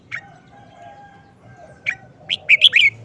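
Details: Short-phrased song of a caged red-whiskered bulbul: two isolated sharp chirps, then a rapid run of four bright whistled notes rising and falling. Soft low hum sits beneath.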